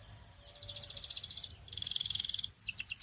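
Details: Canary song used for singing practice and training: after a soft rising whistle come rapid, high, even-pulsed trills, a brief pause, then a louder and denser rolling trill and a final few choppy notes; quiet background hiss throughout.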